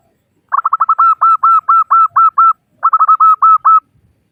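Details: Female zebra dove of the local type calls for males: rapid stuttered notes accelerating into a regular chain of hooked, mellow coos, then a second shorter bout after a brief break; faint low thumps.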